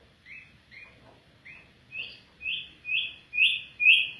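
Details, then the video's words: Afghan bulbul singing: a series of short downslurred chirps repeated about twice a second, growing steadily louder and slightly higher toward the end, on a quiet background. "Afghan bulbul bird voice افغانی بلبل کا آواز"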